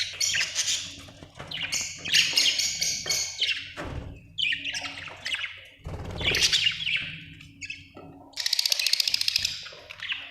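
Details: Budgerigar with a long run of rapid scratchy chirps and warbles, ending in a fast buzzy trill, with a constant low hum behind.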